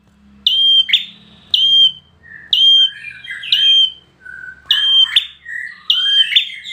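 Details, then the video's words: Bar-winged prinia of competition standard giving loud, ringing, slightly downslurred high notes roughly once a second, with softer, lower twittering chatter between the phrases and a faint background hum. "PRENJAK KLAWU PRESTASI"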